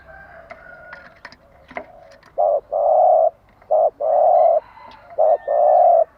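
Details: Spotted dove morning cooing meant to train caged birds: after a few faint clicks and knocks, three paired coos, each a short note then a drawn-out even coo, repeated at steady intervals.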